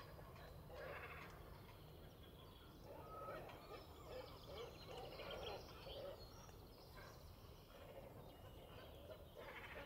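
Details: A pair of great cormorants on their nest high in a colony near Willemstad, Netherlands, in early morning sun during breeding: low, guttural croaks and grunts in uneven bursts over a steady background rumble.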